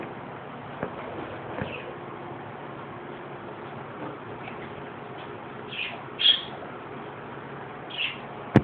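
Young parakeets give a few short, high chirps, spaced a second or two apart, over a low steady room hum.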